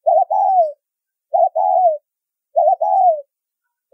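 A spotted dove coos a soft, low phrase about every 1.3 seconds: a quick doubled note, then a longer falling coo. No other sounds intrude.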